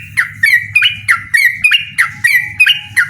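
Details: A chattering yellow-vented bulbul calls out a rival for a song contest, giving loud, clipped, bubbly notes about three times a second over a faint low hum.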